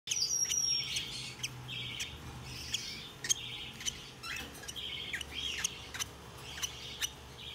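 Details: Hand-tame Turquoise-rumped lovebird chick calling indoors: repeated short, harsh squawking notes, roughly four per second and unevenly spaced, with sharp clicks and a steady low hum behind.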